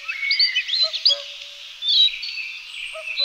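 Young spotted flycatchers give a busy, overlapping chorus of thin, high squeaky calls while being fed. A few short, lower notes sound underneath.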